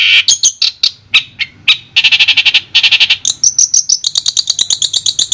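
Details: Long-tailed shrike from Madura, a clear tutor recording for training birds: rapid chattering bursts of harsh buzzy notes, then high clear notes repeated about four per second, ending in a fast string of sharp ticking double notes.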